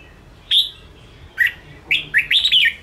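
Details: Red-whiskered bulbul, a caged bird, singing to provoke and train other caged birds: short bright whistled phrases, a sharp note, then a rapid cluster of rising and falling warbled notes near the end, over quiet background.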